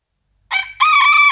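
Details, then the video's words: Feather-footed gold-porcelain bantam rooster crows: a short clipped opening note, then a long, steady, raspy high note held for about half a second, with no other sounds. "Federfüßige Zwerghühner gold-porzellan Hahn kräht"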